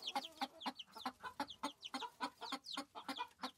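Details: Farm chickens clucking in a quick, steady run of short, clipped notes, about four per second, with a few higher squeaky notes mixed in.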